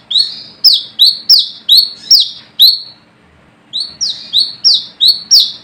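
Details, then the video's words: Brown-throated sunbird calling rivals, suited for luring: two bursts of sharp falling notes with short buzzy tails, separated by nearly a second of silence, rhythm quick and uneven. "Manggaran Ngalas Gacor"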